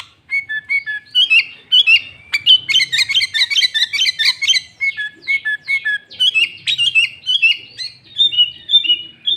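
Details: Sooty-headed bulbul song used as a lure to draw and provoke other bulbuls, loud and clear with added fill phrases of green leafbird. Rapid dense chattering of short twisting whistled notes, bursts roughly every half second, faint low hum beneath.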